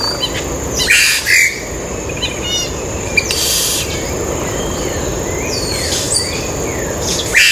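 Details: A Yellow-rumped Cacique on Ilha de Comandatuba, Bahia, Brazil, on 12 October 2013 gives harsh, rasping bursts and looping, arched whistles, scattered over several seconds, above a steady high insect drone.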